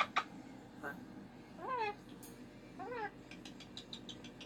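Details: Indoors on a Monday morning, a pet cockatoo upset that the weekend has ended. Two separate downward-bending harmonic squawks are followed by tapping clicks.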